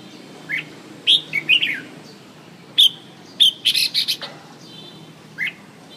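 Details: Red-whiskered bulbul in lively song: crisp whistled notes and short rapid twittering phrases, some grouped in quick runs of three or four, spaced by brief pauses over steady low hiss.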